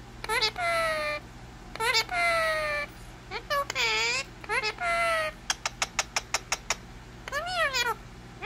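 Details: Talking Indian ringneck parakeet with a string of high, buzzy word-like phrases, one swooping down and back up, then a quick run of about seven sharp clicks before a final rising-then-falling phrase, faint steady hum underneath.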